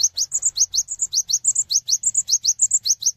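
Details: Cinereous tit calling other tits to join in singing: a fast run of high, sharp rising notes alternating with short whistled slurs, about two phrases per second, steady throughout.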